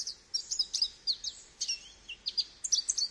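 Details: Goldfinch song: rapid high tinkling twitters and short slurred notes in quick bursts, with brief pauses between phrases and a quiet background.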